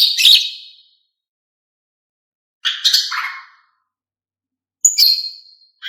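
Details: Calls of a female cucak ijo, used to provoke male birds into singing: three scratchy, buzzy chatter phrases about two seconds apart, one opening with a clear high whistle.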